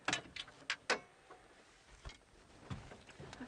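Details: Sharp clicks and knocks, like handling or mechanical taps, with no animal voice.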